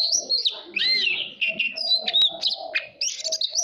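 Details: Caged oriental magpie-robin provoked into contest singing, pouring out a long sequence of loud whistled notes, sharp clicks and fluty slurs with barely a pause, over a faint low hum.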